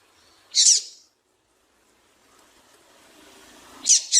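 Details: Female double-collared seedeater calling, a sound used to stimulate males to sing: a short, high, harsh chip, then quiet hiss and two more quick chips near the end.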